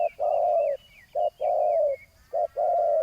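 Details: Spotted dove used as a ground decoy to lure a rival. Its short-then-long coo pairs repeat three times, the long coos smooth and sustained. Slurred whistles from other birds run faintly above.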